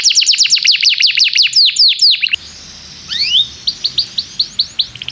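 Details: Energetic canary song played to teach young canaries: rapid bursts of sharp downward-sweeping chirps, a short pause, then rising swept whistles and spaced bright chirps repeated about twice per second.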